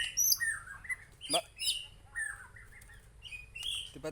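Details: White-rumped shama from Aceh giving a jumbled song of high thin whistles, mid-pitched warbled phrases and sharp clicks, in short bursts with brief pauses.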